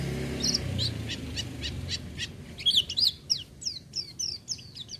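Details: Oriental white-eye singing without doping: a quick run of dry ticking notes turns into lively high twittering with down-slurred whistles, over a low background rumble.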